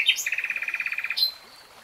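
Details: Common nightingale phrase: a couple of high chirps launch a rapid, rattling trill of about sixteen identical notes, ending in a sharp high flourish.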